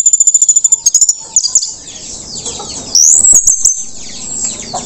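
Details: Teler-style song of an orange-headed thrush after moulting: a fast burst of sharp high clicks opens, then a bright, high rising-and-falling whistled phrase with a few trailing chips.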